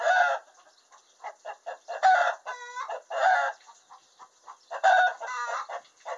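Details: Hen cackling in the henhouse after laying an egg, a loud announcement call of rapid broken clucks building into drawn-out, ringing notes roughly every one to two seconds, with quieter clucks between bursts.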